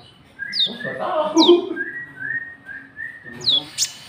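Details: White-cheeked bulbul (konin trotol) calling to lure rival birds: a loud downward-slurred note, then a series of level whistled notes repeated about every half second, ending with a sharp high chirp.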